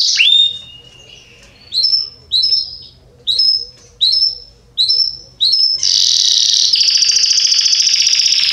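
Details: Belgian canary singing loudly, described as excellent for teaching young birds to sing: short high whistled notes, some sliding downward, repeated about twice a second, then breaking into a long dense buzzy trill.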